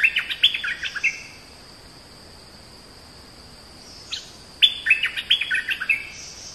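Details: Oriental magpie-robin giving two lively runs of clear whistled and chirped notes separated by a long quiet gap, with a faint steady hiss throughout.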